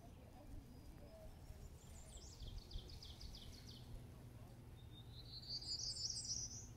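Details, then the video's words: Along the Appalachian Trail, a Prairie Warbler sings a quick series of thin, buzzy high notes rising in pitch, ending in a rising buzzy phrase, over a steady low rumble of wind and ambient noise. "Prairie Warbler"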